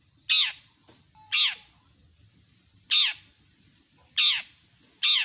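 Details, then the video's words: Long-tailed shrike (cendet) in a compilation of full mimicry song: sharp, high downward-swept notes, each a quick bright squeal falling in pitch, given singly about every second or more, in a quiet background. "Masteran burung CENDET gacor isian lengkap kompilasi jos suara jernih"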